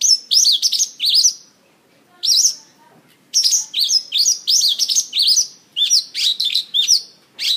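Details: Mongolian lark performing song while dancing on a stage, delivering clusters of bright, high-pitched chirps and sweeping notes in fast bursts, broken by a brief silence early on, then a long unbroken chattering stretch.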